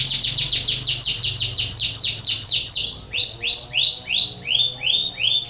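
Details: A canary in breeding condition, its song used to stir other canaries into singing, gives rapid series of repeated downslurred high notes, then changes to a run of upward-swept whistled notes, several per second.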